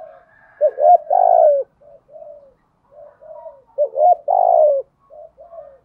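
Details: Cooing of spotted doves, both cock and hen, meant to excite captive wild-caught birds: two loud phrases of a rising hooked note plus a long descending coo, separated by soft low murmured coos, clean and quiet background.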